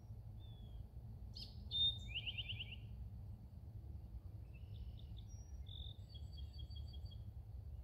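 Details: Eastern towhee seen in Indiana on April 3, 2021, where it is common, sings drink-your-tea: two sharp high notes, then a fast buzzy trill, followed by other bright chirps over a steady low rumble.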